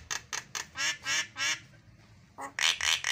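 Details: Javan myna (jalak kebo) song for training other mynas, with 'isian' fill phrases: a series of harsh, nasal, quacking notes, some drawn out, in uneven bursts with a short pause midway.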